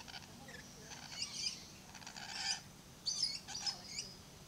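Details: Blue-streaked lory at Lion Country Safari, Florida, giving short, high, harsh squawks and chirps in bursts of two to three, with quiet background murmur.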